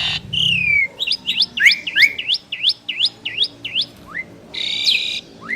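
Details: Asian pied starling duet of two birds: a downslurred whistle opens a rapid series of repeated V-shaped chirps about three per second, ending with a harsh burst and rising squeaks.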